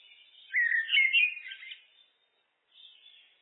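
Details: Looped common blackbird song: a loud, mellow fluty phrase with quick warbling slides, ending in a brief twitter, then silence and a faint high squeaky note.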